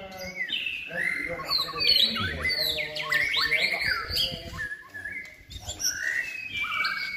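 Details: Captive white-rumped shama trained for song contests, in its third season, sings a rich, fast run of varied whistled phrases, some sliding and some chattering, with hardly a pause, over faint background noise.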